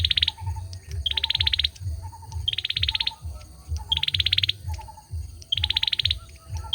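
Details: Male olive-backed sunbird delivering regular bursts of rapid, high, buzzy ticking, four phrases roughly a second apart, separated by gentle lower twitters; persistent low-pitched hum in the background.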